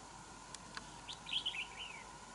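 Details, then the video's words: Red-whiskered bulbul, a wild bird squaring up to a caged decoy in a territorial contest; a couple of faint clicks, then a bright, quick warbling phrase of chirps that trails off into a softer falling note. "Bẫy đấu chào mào bổi"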